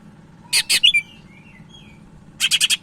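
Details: Sumatran leafbird (cak ijo Medan) singing energetically, a recording meant for provoking and tutoring other leafbirds: two buzzy bursts, quick twisting whistles, a thin pause, then four rapid buzzy notes at the end.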